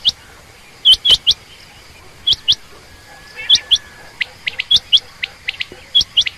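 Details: Female quail, common or rain quail, calling in quick pairs and triplets of high, hooked chirps. Thinner, rising chirps run together near the end, with sharp clicks in between.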